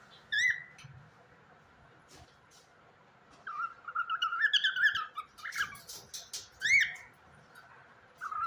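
A cockatiel whistles clear rising-and-falling notes, breaking into a longer warbling run midway, with short phrases separated by brief pauses against a quiet room.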